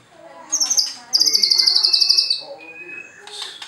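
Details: Song of a White-rumped shama kept at a bird farm in Anyer, Banten, Indonesia, sung to provoke rivals: a high, fast rattling trill of even notes lasting about a second, then a thin steady whistle.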